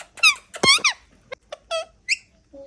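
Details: Pet Indian ringneck parakeets during their molt, indoors: a few short, squeaky, harmonic-rich chirps and squawks in quick bursts, then softer isolated squeaks with quiet gaps between them.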